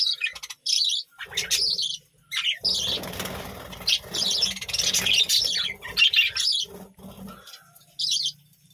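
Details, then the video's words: A budgerigar colony kept at a village home chatters in short bursts of bright, scratchy chirps separated by brief silences, with a faint low hum underneath. "বাজরিগার পাখির ডাক ও কিচিরমিচির গান"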